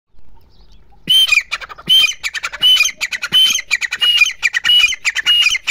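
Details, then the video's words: Female grey francolin calling: after a brief quiet start, a rapid, loud run of harsh, squawky notes with ringing overtones, several per second, continuing to the end. "Teetar ke awaz"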